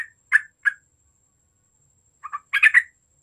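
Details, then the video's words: Yellow-vented bulbuls, a chatty group recorded to provoke others into calling, give a few throaty single notes, then after a pause a rapid cluster of harsh bubbling notes. "TRUCUK GACOR AMPUH UNTUK EMANCING BUNYI TRUCUKAN OMBYOKAN"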